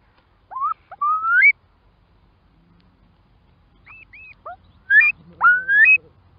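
A curlew gives loud, clear whistles that slur upward, in two bursts of rising 'cour-lee' notes. A faint low buzzing hum sounds near the end.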